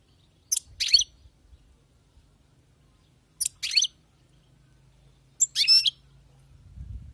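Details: Three short, separate bursts of twittering song from a wild-caught European goldfinch, each under half a second, with quiet gaps and a faint low hum.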